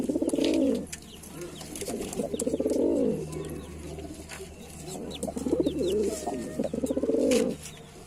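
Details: Lalsara pigeon coos come in rolling bursts roughly every two seconds, each a throaty rising-and-falling murmur, with other birds cooing in between and a low background hum.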